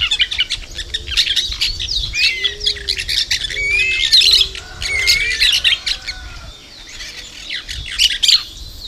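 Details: Chattering flock of plain parakeets recorded on 2 December 2012, with rapid overlapping shrill chirps, squeaks and brief slurred whistles, plus a few lower notes beneath, continuing throughout.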